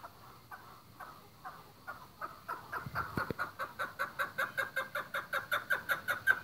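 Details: Chukar partridge kept on a breeding farm, scattered clucks quickening into a steady, regular string of loud chuck notes that grow stronger toward the end, with a brief knock midway.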